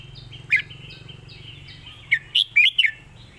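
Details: Red-whiskered bulbul, a competition songbird, delivering its master song: an opening bright note, then a lively run of four rolling, whistled notes over faint, evenly repeated high chirps.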